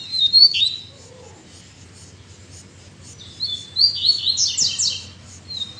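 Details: Coleiro (Double-collared Seedeater) kept in captivity, singing hard after cold rainy days: thin high whistles and slurred notes lead into a dense, scratchy trilled flourish, then another whistle.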